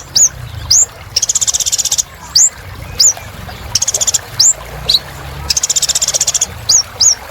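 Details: Sunbird known as kolibri ninja in lively song: short very high rising whistles alternate with three long, dense, buzzy high trills, with steady low background hum.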